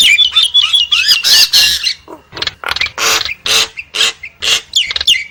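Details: Nias hill myna giving a loud, varied run of clear whistled notes, then harsh, broad squawks and rasping bursts, some ending in short rising whistles, about three per second.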